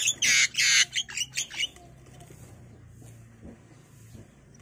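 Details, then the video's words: Begging from five-day-old Javan myna chicks as parents that fly free from their cage feed them in turn. A burst of harsh, raspy squawks repeats for under two seconds, then only a low background hum remains. "Indukan Burung Jalak meloloh Anaknya"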